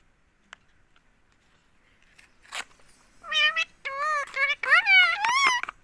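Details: Pet green ringneck parrot in India repeating "mummy" nonstop: after a quiet start, a run of nasal, wavering syllables with rising and dipping tones fills the last three seconds, with a few clicks between.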